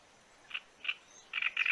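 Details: Great reed warbler (Acrocephalus arundinaceus) song, used as a lure call: two short harsh, grating notes, then a quicker run of rasping, croaky phrases, loud and frog-like in tone.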